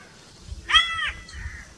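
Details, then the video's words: Single harsh, drawn-out crow caw, arched and raspy, followed by faint bird chatter and low background rumble. "1 hour crow crowing sounds - one hour crow nonstop crowing voice - natural crow bird sounds"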